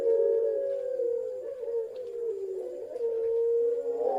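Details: Pelung-style ringneck dove, one of a parade of several birds with a single female among them, giving a long, level, mid-pitched coo that sags slightly midway and rises again at the end, heard indoors with faint background hum.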